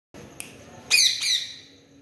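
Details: Pet parrot talking with its owner gives two loud, harsh squawks in quick succession about a second in, each a rich, grating burst, after a faint earlier chirp over a quiet background.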